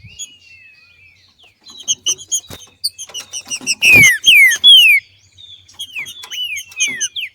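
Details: Female green-winged saltator singing 'macheando' in nature, meant to excite other birds into song; soft drawn-out whistle, then a loud burst of downslurred whistled notes followed by sliding whistles, amid scattered clicking sounds.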